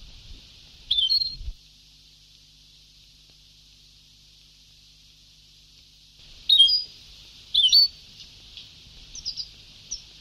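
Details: European goldfinch in an old Sebtaoui-style singing recording: a short bright twittering phrase, a long hush, then two chirpy bursts and faint trailing notes, over a steady hiss.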